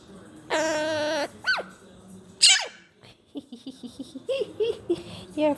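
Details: Pet red-shouldered (Hahn's) macaw imitating its owner's mother sneezing: a long buzzy tone and a quick squeak, then a sharp sneeze-like burst, followed by soft chattering syllables.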